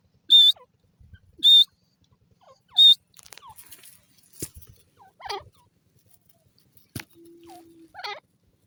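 A francolin gives three loud, shrill, high notes about a second apart, followed by softer scattered chirps and clicks.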